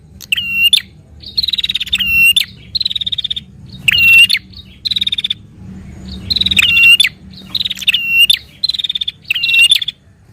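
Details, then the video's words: [2, 'Chattering prenjak, a prinia, in fighting-style song used to get a caged prinia singing: repeated harsh buzzing trills and metallic clicking bursts, phrase after phrase with a brief gap midway, faint low background rumble.'] "Burung Prenjak Gacor Narung Cepat Rangsang Bunyi Prenjak Anda"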